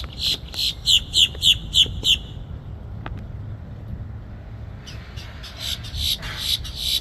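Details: Two American crows playing together give a quick run of about seven harsh, raspy caws in two seconds, then a softer, farther series. A low rumble of traffic runs underneath.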